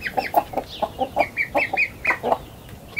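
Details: Several chickens leaving their coop in a garden in the morning: rapid short clucks mixed with higher, brief, rising chirping notes, roughly ten sounds in three seconds.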